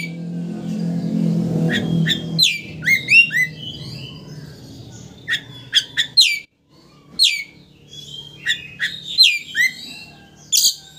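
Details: Oriental magpie-robin singing to rile up a rival and make it open its tail; busy bursts of sharp sweeping notes and whistled phrases, with low rumbling noise at the start.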